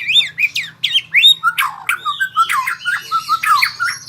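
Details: White-rumped shama practising rolling trills, delivering a fast run of sharp, rising and falling squeaky notes, several per second, with a faint low hum underneath.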